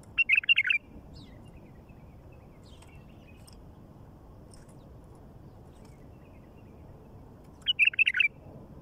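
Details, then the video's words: Wild bulbul singing out in nature: two brief bubbly phrases of quick, liquid warbled notes, one at the start and one near the end, separated by several seconds of quiet over a faint low rumble. "تغريد بلبل وحشي على الطبيعه"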